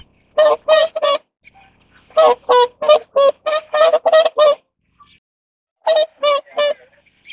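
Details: Whooper swans around mating trumpet in loud, nasal, bugle-like honks, about fourteen in three quick bursts of three, eight and three, with brief quiet gaps between.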